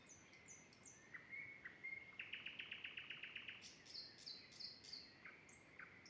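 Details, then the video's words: Common Nightingale singing while building its nest, near a garden at the edge of a forest. Faint, distant song with varied phrases: a rapid run of about a dozen repeated notes, short high thin whistles and clipped chirps. "соловейко співає"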